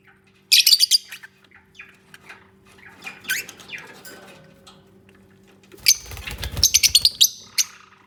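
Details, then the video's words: Lovebirds nesting and communicating with soft natural sounds: scattered high chirps and squeaks, a burst of rapid twitters, and rustling or scraping noises from nest building. "Peaceful Lovebirds Moments | 20 Min Unedited Natural Bird Sounds"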